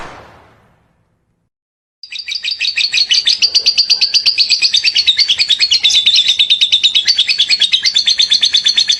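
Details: Lovebird in ngekek song, described as lively and suited as tutoring material: after two quiet seconds a loud, rapid, buzzy chattering trill starts and runs on without pause, wavering slightly in pitch.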